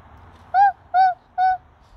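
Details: Three short, arched, clear owl notes, evenly spaced about half a second apart, over quiet background hum.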